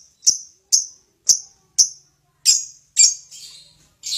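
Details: Talkative lovebird, known for long 'ngekek' chatter, giving four crisp high chirps at even half-second spacing, followed by harsher, noisier calls.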